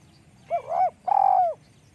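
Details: Spotted dove cooing: two low, mellow notes about half a second each, the first wavering and split, the second longer and smoothly falling, over a faint low background hum.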